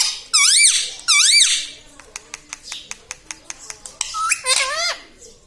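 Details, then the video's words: Pet parrot that repeats mithu and mummy papa. Two loud arched, harmonic syllables are followed by a regular series of about ten dry clicks. The phrase ends with a stepped, rising, then falling vocal phrase. "Parrot talking mithu mithu || mai bolunga || मम्मी पापा बोलता तोता"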